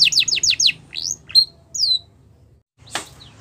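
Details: Canary song to stimulate other canaries to sing: a quick burst of repeated descending notes, then a few separate whistled slurs with pauses, ending in near silence and one brief broadband click.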